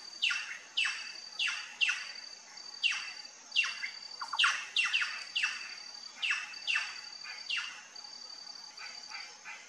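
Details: A plush-crested jay (Cyanocorax chrysops) at a feeder gives harsh, raspy, downslurred calls, roughly one or two each second, with a thin, steady insect-like whine behind it.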